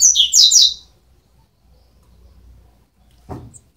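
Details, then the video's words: Double-collared seedeater nestlings, 12 days old, giving a quick burst of high, thin chirps, then near silence with a brief low knock. "Filhotes de coleiro com 12 dias"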